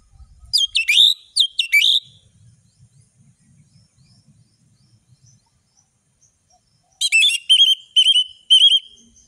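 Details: Orange-headed thrush with a full, varied song: two sharp twittering phrases, a quiet gap with faint low rustling, then a quick series of bright repeated whistled notes.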